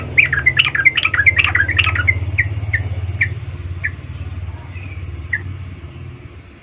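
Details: Sooty-headed bulbul song played as a lure to provoke other bulbuls: a busy burst of bubbly, chirpy notes over the first two seconds, then single short notes spaced about half a second apart and fading, over a steady low rumble.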